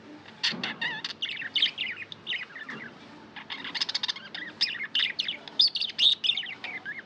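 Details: Budgerigar chirping and warbling: quick wavering whistled notes and bright chirps in dense bursts, a short lull near the third second, then a livelier run of twittering to the end.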